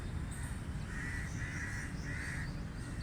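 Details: Crow giving three drawn-out, raspy caws at even intervals, loud and clear above a low steady rumble of background noise.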